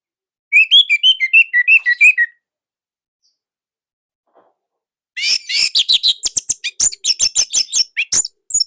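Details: Loud, nonstop song of an orange-headed thrush from Indonesia. A run of about ten evenly spaced whistled notes, then a pause, then a fast stream of harsh, scratchy high notes and clicks.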